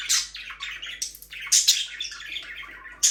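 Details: Pet budgies warble in a run of buzzy, falling chirps and scratchy chatter, ending with a sharp high squawk, inside a small room.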